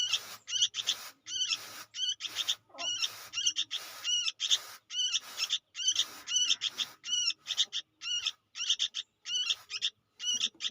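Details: Young sooty-headed bulbul calling insistently: rasping, buzzy bursts repeated about twice a second for the whole passage, with a low hum faintly underneath.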